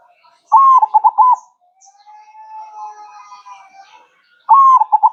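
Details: Zebra dove (perkutut) cooing twice, a lengthy note leading into fast rhythmic coos, while a faint, slowly rising sustained whistle and soft chirps fill the gap between phrases.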